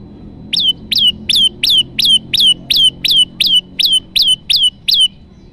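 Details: Olive-backed tailorbird song played as a trapping lure: around thirteen bright, emphatic chirps with a sharp upward flick, repeated at a brisk, even pace for about five seconds, soft low rumble underneath.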